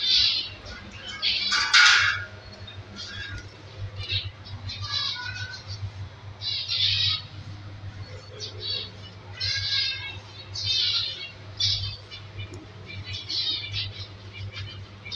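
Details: In an aviary, healthy zebra finch chicks from a small breeding pair with five young produce loud, rasping high-pitched begging bursts, repeated irregularly every one to two seconds over a low background hum.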